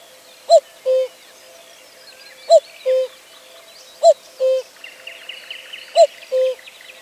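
A cuckoo gives its two-note 'cu-ckoo', a short higher note falling to a longer lower one, four times at steady intervals, with faint twittering birds behind.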